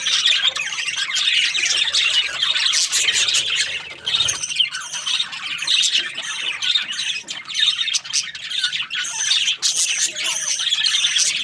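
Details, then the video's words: Many budgerigars kept as breeding pairs, constant twittering and squawking with rapid high ticks and short whistles, the din holding steady with small pauses scattered through. "Budgies parrot chirping sounds | breeding pairs"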